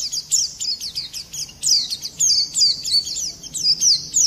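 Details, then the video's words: Lively Oriental white-eye song, described as a hot, long-rolling and harsh-shooting performance, used to stir other birds into singing: rapid high sweeping chirps and trills in dense repeated bursts with brief pauses. "Pleci gacor ngerol nembak kasar cocok mancing emosi"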